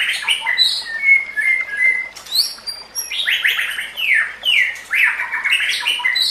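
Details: White-rumped shama training song with smeared, echoing notes: drawn-out whistles followed by repeated downward-sweeping buzzy phrases about twice a second, over a soft background hiss.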